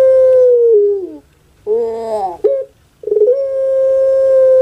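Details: Anggungan of a caged puter pelung dove from Java, Indonesia: a sustained clear note falling away, a brief pause, a throaty gurgling roll, then another long, steady, level note held to the end.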